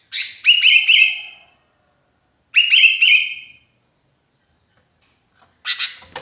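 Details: Lonely sooty-headed bulbul calling to companions, used as a lure, repeats a short phrase of bright, bubbly whistled notes about every two seconds, ending with a few harsh chirps.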